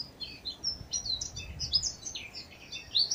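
Two Eurasian blackcaps singing loud, scratchy, hurried warbling with high chattering phrases running on without pause, over a low background hum.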